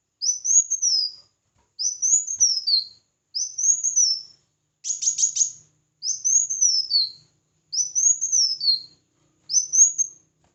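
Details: Red-whiskered bulbul singing in competition, a string of seven arching whistled phrases about every one and a half seconds, one replaced by a harsher, buzzy stacked note midway.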